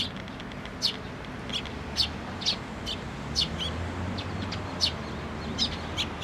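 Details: Nestlings at a Tenmangu shrine on 22 May 2024 wait for a parent to bring food, giving short high peeps at a steady pace of about one every half second, over low background rumble.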